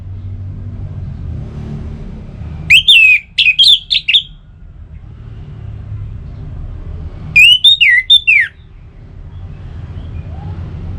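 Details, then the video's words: Orange-headed thrush song for getting kept birds to sing: two loud phrases, each a rapid string of four or five slurred whistled notes rising and dropping, separated by several seconds of low droning background rumble. "Suara Burung ANIS MERAH"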